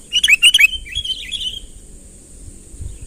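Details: Sooty-headed bulbul in full voice, calling to draw a rival closer: a quick run of three bright, burry chirps, then softer warbling notes trailing off, over a steady high hiss.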